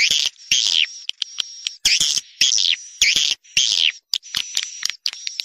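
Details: Swiftlet (Collocalia vestita) call sound with added frequency: harsh buzzy chirps in short bursts, each about a third of a second, separated by brief gaps, with a thin high steady whistle-like tone between bursts.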